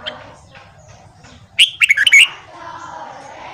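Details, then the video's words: Morning song of a red-whiskered bulbul meant to coach newly caught birds: one half-second burst of clear, jumpy whistled notes in the middle, with soft murmuring noise around it. "Luyện Giọng Chào Mào Hót Sáng Kích Chào Mào Bổi"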